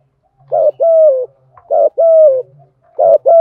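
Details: Spotted dove "thúc gù" cooing: three rhythmic phrases, each a short coo followed by a longer, level-then-falling mellow note, with a faint low hum in the background.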